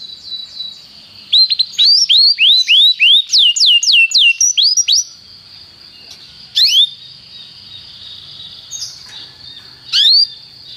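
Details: Canary song training recording: a burst of rapid, bright upswept whistles repeated several times a second, then mostly quiet with a steady high tone and a couple of isolated sharp downslurred notes.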